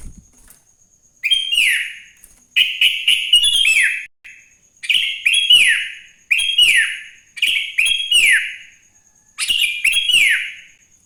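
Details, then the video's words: Sooty-headed bulbul singing energetically in the morning, a recording used as a lure to prompt other bulbuls to sing: short bright whistled phrases with falling slurred ends, given in bursts about every second, over a faint steady high whine. "Suara Burung kutilang GACOR di Pagi hari‼️ Joss Buat Pancingan Kutilang Bahan Agar Cepat Bunyi"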